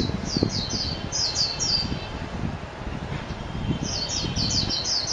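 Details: Mejiro, the Japanese white-eye, singing two bursts of quick, high, twittering slurred notes separated by a pause of about two seconds. Steady low background noise runs throughout.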